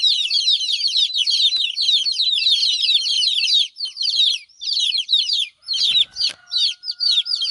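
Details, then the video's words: Chicks crying for their absent mother hen: a thick chorus of high, falling peeps that thins out halfway through into scattered bursts. These bursts are mixed with soft knocks and a faint thin tone. "Chicks chirping"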